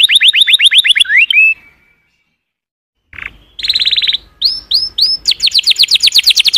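Canary song: bright, high trills of rapidly repeated notes, some sliding upward, broken by a short silence before the rolling phrases resume.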